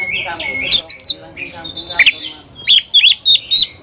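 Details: Oriental magpie-robin in full agitated song, heated and seeking a rival to fight: a rising whistle, then harsh chattering notes, ending in a run of four or five sharp, bright chips about a quarter-second apart.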